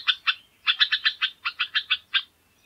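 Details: Jamaican oriole (Icterus leucopteryx) song: two quick notes, a short pause, then a rapid run of about ten even, rich, double-toned notes, with no other sounds.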